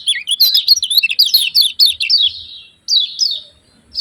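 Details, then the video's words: Yellow-vented bulbul chattering in rapid bubbly downslurred notes, about four per second, then a pause and two separate sharp chips. "SUARA KECIAL KUNING CIAK CIAK JOSS"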